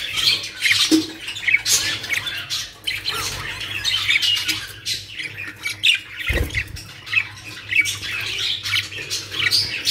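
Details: Busy, scratchy chatter and squawks from caged budgerigars in Pakistan, continuous throughout, with a dull thump partway through and a low hum underneath.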